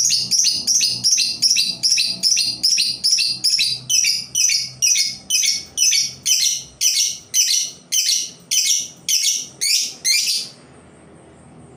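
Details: Decoy labet bird singing to attract other labet birds: a long, steady series of loud, high, chattering phrases repeated about twice per second for ten seconds, then stopping abruptly.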